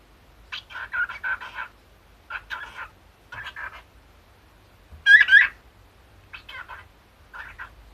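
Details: Cockatiel, an elderly male-aged bird hatched in 2011 that talks in a Kumamoto-dialect voice copied from its late former owner, chatters in short, speech-like bursts broken by one sharp, shrill squawk while being mischievous.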